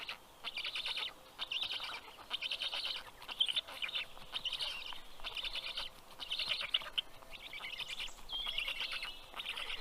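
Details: Several young black storks on their nest in southern Estonia's Karula National Park call excitedly as the adult male delivers fish, June 2023, late morning; repeated high, scratchy chatter bursts roughly every second, with occasional wing or nest rustles.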